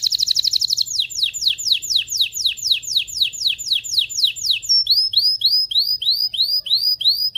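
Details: Agitated canary in mating song to stimulate males and females: a brief dense trill, a long series of falling slurred notes about four per second, then arching whistled notes.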